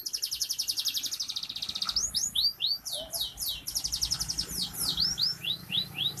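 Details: Vigorous F2 canary, crowd-therapy singing: steady fast high trill followed by looping downward-sweeping whistled notes repeated in quick succession.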